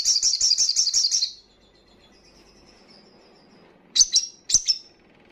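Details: Crimson sunbird in the fast, loud 'ngalas' song style, meant to stimulate breeding condition and aggression in other birds: a rapid burst of about seven shrill, high trilled notes, a thin faint whistle, then two sharp high chips.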